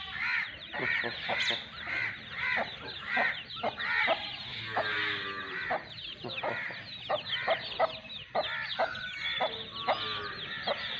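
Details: Aseel hen and two-month-old chicks from Sindh, Pakistan. Sharp, short clucks repeat quickly in uneven runs beneath a steady wash of high, curling chick peeps.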